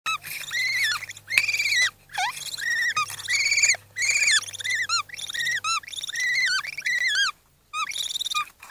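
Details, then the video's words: Woodpecker chicks squeak in their nest hollow: a shrill, continuous chatter of rising-and-falling squeaks, with several voices overlapping in bursts broken by brief pauses. "Как пищат птенцы дятла?"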